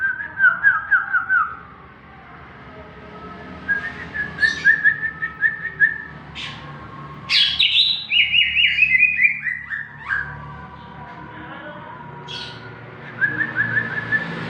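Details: Greater green leafbird in full, lively song, used to provoke young captive birds into singing: varied whistled phrases and quick rattling trills, one louder descending run of rich notes midway, phrases separated by short pauses.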